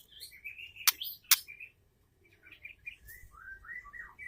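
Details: A white-rumped shama hen, whose voice is used to provoke males into song, gives varied whistled phrases broken by two sharp harsh bursts. After a brief pause come quick warbling notes.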